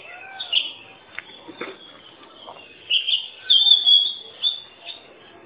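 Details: Oriental magpie-robin whistling in scattered short notes, then a louder run of held, warbling whistles near the end, with faint lower chirps and little other noise.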